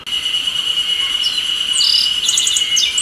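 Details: Masked bunting (Emberiza personata) calling at Shiki no Mori Park on 28 May 2015: short, high, thin chirps and a brief buzzy phrase over a loud, steady drone of cicadas.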